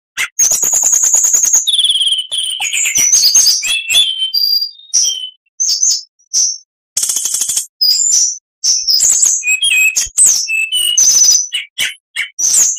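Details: Oriental magpie-robin song used to train other birds: opening fast buzzy rattle, then a long varied sequence of short clear whistles, slurred notes and brief trills separated by tiny gaps.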